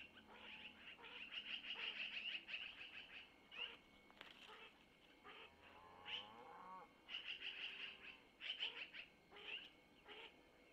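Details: Owlets of long-eared owl fed by their mother, who takes food from the male, at a camera-watched nest near Missoula, 25 April 2024 around 05:05; fast irregular high chirps and a brief lower rippling call.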